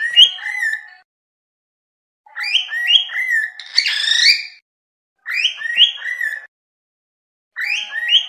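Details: Cockatiel whistling in short bursts of three or four clear harmonic notes, each burst hopping up and down in pitch, separated by silent pauses of about a second.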